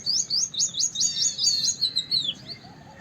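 A white-browed wagtail gives a rapid series of high, sharp chirping notes, about six quick phrases in two seconds, then trails off over faint background hiss.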